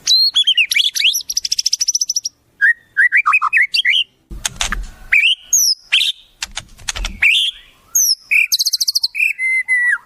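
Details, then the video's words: White-rumped shama delivering a varied song rich in wild-bird imitations: fast rattling bursts, slurred whistles, harsh broadband clicks and ringing high notes, changing phrase every second or two. "Masteran Murai, Isian Burung Alam Liar"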